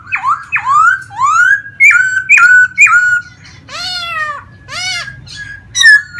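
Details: Vietnamese pet laughingthrush in a cage, singing and spreading its tail in display, delivering loud rising whistled slurs one after another, then rich harmonic downward notes and sharp squeaks.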